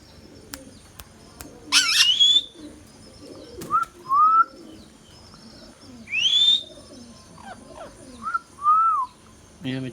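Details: Indian ringneck parrot kept as a pet gives a harsh screech, then rising whistles and two-note wavering whistles in short bursts every couple of seconds, with faint clicks in a quiet setting.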